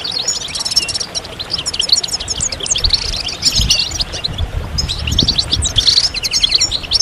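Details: Group of goldfinches giving stimulating mating calls. Tinkling, buzzy twitters and rapid trills overlap in a busy, continuous chorus, with some soft low noise in the background.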